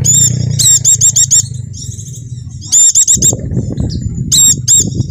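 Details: Javanese 'dakun' white-eye song used as a lure to prompt caged birds to sing: bursts of high, sharp, ringing chirps in quick repeated series, with low rumbling background noise between phrases.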